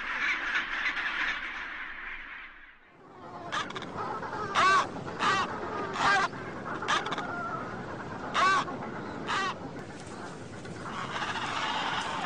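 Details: Penguins in the cold, males incubating the eggs of future offspring; after a blended colony murmur, loud harmonic braying calls ring out in short bursts about once a second, over a steady background of other birds.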